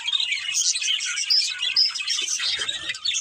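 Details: Budgies, a breeding pair, twitter in rapid irregular bursts, scratchy chirps mixed with a couple of clear short whistled notes, and a soft low rustle near the end.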